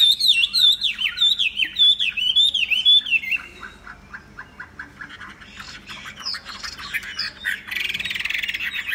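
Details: Tamed Chinese hwamei delivering a bold opening of descending slurred whistles, followed by quieter clipped notes and a harsh burst near the end.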